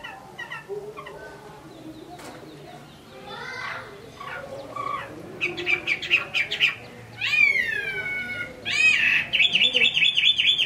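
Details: Hwamei in Hải Phòng, Vietnam: a soft, scattered beginning of faint notes builds into louder buzzy chatter, sharp upward-swept whistles and a rapid bright trill at the close.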